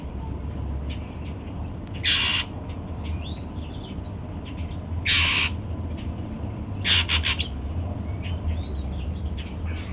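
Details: Golden-fronted Leafbird, a male kept as a household bird, eating apple in the morning; three loud rasping buzzy calls come roughly every two to three seconds, separated by soft clicks and thin whistles.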